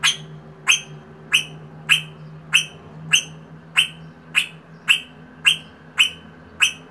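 A rosella gives a steady series of sharp, ringing notes, about one every two-thirds of a second, over a faint low hum.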